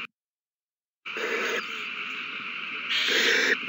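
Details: Owls at their nest in a prey frenzy after a mouse is found and handed over, 21 March 2020: after a second of silence, a long rough hiss swells in two stronger bursts over continuous noise.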